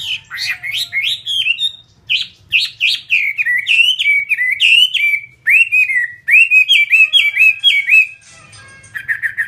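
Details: Captive fighting Chinese hwamei singing a rapid, loud run of varied whistled phrases, many notes sliding up and down, in bursts almost without pause, ending with a few buzzy repeated notes.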